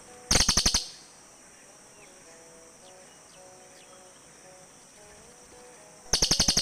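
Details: Cililin birds exchange calls: a short rapid trill of sharp buzzy pulses, a long quiet gap with faint distant chirps, then an answering trill of the same pulsed pattern.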